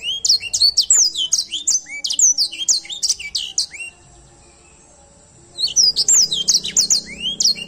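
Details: A grey singing finch sings busily, pouring out high, rapid, sliding whistles and chirps in two long phrases separated by a short silent gap, with a faint low hum underneath.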